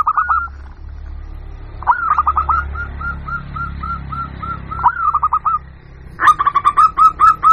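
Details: Zebra dove of a local type, recorded as a lure call to draw wild birds in: spaced series of clipped, rolling coos repeated about three per second, ending in a fast, louder burst of stuttering notes.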